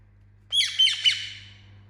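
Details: Indian ringneck parakeet chirping: one loud, harsh, ringing squawk with three quick pulses that fade over about a second, in an otherwise quiet setting with a low steady hum.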